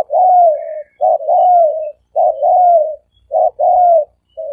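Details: A dove coos low and soft, a short note then a longer, slightly falling one, repeated about once a second without a break; the call is used as a decoy to lure doves.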